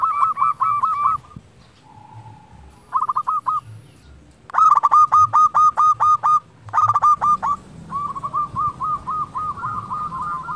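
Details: Energetic local zebra dove singing, meant to coax lazy doves into song: repeated bursts of quick clipped coos, each phrase a rattling string of short notes, with brief pauses and a steady high electronic tone in places.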